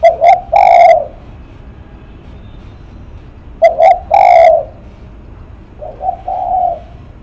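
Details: Two crisp short notes and a long hollow coo from a spotted dove, heard twice, then a softer fainter phrase near the end; cooing style named lắc mặt.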